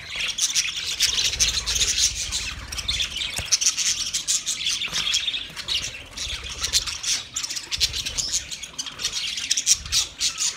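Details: Flock of twenty budgie pairs chattering: busy overlapping chirps and short harsh squawks, constant high twittering with a faint low rumble underneath.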